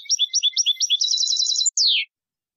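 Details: European goldfinch singing the copia malaga style, a recording for teaching young birds: a fast run of repeated high twittering notes that speeds into a rapid trill, then ends with a falling buzzy slur, in clean silence.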